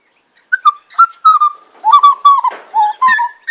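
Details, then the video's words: Butcherbird family of mother, father and offspring on a warm spring afternoon in Sydney, practising territorial calls; rich fluted whistles that slide and fall around a steady mid pitch, several phrases following quickly, recorded on a phone. "Butcherbird trio singing and calling"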